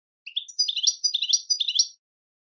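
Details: Goldfinch song: a quick run of bright, high twittering notes with buzzy trills, about one and a half seconds long, set against a silent background.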